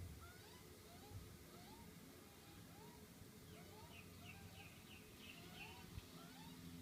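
A magpie gives soft, rising peeps about twice a second, much like a chick, over a steady low rumble, with fainter high chirps near the end.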